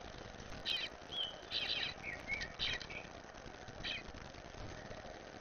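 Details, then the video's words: Recently fledged Eastern bluebird, one of a first clutch of four, being fed by its parents while visiting a yard. Short raspy bursts alternate with thin, brief whistled notes, about six calls in five seconds, over a steady background hiss. "Eastern Bluebirds - baby getting fed"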